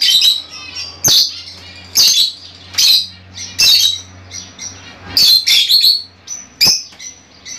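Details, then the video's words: Fischer's lovebirds calling to encourage pairing and mating among kept birds; harsh shrill squawks repeated roughly once a second, some doubled, above a steady low hum. "تغريد وتحفيز لتزاوج عصافير الفيشر"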